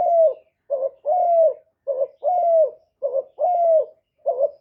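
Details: Captive decoy spotted dove calling to draw in wild doves: a brief low coo followed by a drawn-out, gently falling one, repeated in a steady rhythm against silence.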